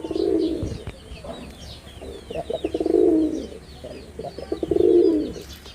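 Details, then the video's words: Loud male red-bordered wild pigeon in Bangladesh, three long swelling coos spaced about two seconds apart, over a backdrop of high chirps from small birds. "লাল বডার বুনো কবুতরের অসাধারণ ডাক || Pigeon Sound Effect || Male Pigeon Super Performance"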